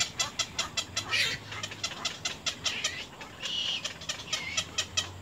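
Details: Little egret chicks in the nest, biting hard at their mother, give a harsh, rapid ticking chatter of several rasping notes a second, with louder scratchy bursts rising and falling throughout.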